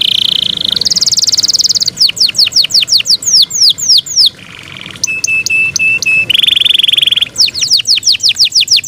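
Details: Yorkshire canary, a kept bird, singing loudly: fast trills, sweeping downslurred whistles, buzzy low rolls and steady high notes in changing phrases.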